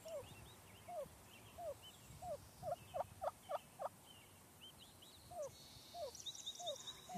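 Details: Wild turkey hen on a residential street, seeing danger in the sky and warning her hiding chicks, gives downslurred clucks about twice a second broken by sharp, urgent putts; faint high chirps and insect-like buzz behind; finding: Turkey.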